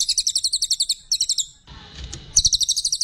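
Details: Brown cililin, used as a master bird, gives two short runs of rapid, shrill notes, then a brief noisy break, then another fast chattering burst.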